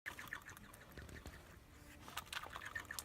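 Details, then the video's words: Ducks give short, harsh, nasal quacks in irregular bursts, mixed with a few faint high squeaky notes over a steady background hiss. "Funny duck noises"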